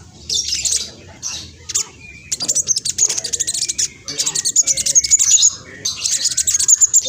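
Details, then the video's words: Spotted black sunbird, noted as noisy and used to draw replies from other birds, pouring out long runs of rapid, high, dry chattering notes with bright whistled flourishes. "Kolibri blacksunbird trotol speed cepat semua burung akan ikutan nyaut respon"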